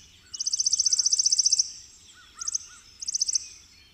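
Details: Chipping sparrow (Spizella passerina) singing a dry, rapid, high trill of even chips lasting over a second, followed by two short trilled bursts, with a few faint lower slurred notes from another bird underneath.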